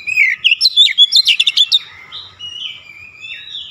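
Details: Short "nembak" phrase from an Oriental magpie-robin: a quick string of loud, bright, varied notes, then trailing softer whistles that fade out.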